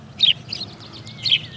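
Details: A male house sparrow on his roof beside his newly built nest chirps to court a female and claim territory from rival males. He gives three bright, clipped chirps over under two seconds, with a faint thin whistle and low background rumble.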